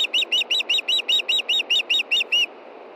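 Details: Calling for fish at dusk, a female osprey at a Montana nest in June gives a loud, fast string of about twelve high chirping whistles, each note sharply arched, ending with a slightly longer final note.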